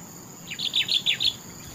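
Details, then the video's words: Topcer-style song of a Sooty-headed bulbul: five quick, bright, slurred notes in a tight, bubbly phrase lasting under a second. "Suara burung Kutilang TOPCER merdu sekali"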